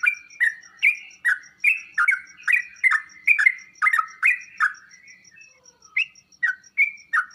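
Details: Sooty-headed bulbul singing to make other birds respond: quick series of clicky, slurred whistled notes, roughly two per second, pausing briefly before resuming, over a steady faint high ticking.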